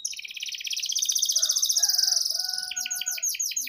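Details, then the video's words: Canary lure song for young birds: a sustained rapid rolling trill, then a run of fast repeated sweeping notes, with faint other chirps beneath. "PANCINGAN Suara Burung KENARI GACOR Panjang || Masteran KENARI Paud"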